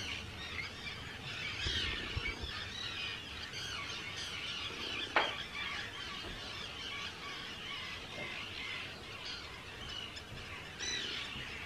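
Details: Hundreds of Arctic terns at their breeding colony, Rottumerplaat, the Netherlands, 4 June 2023. Constant overlapping high squealing and grating calls, with a sharp click partway through and low rumbling background noise.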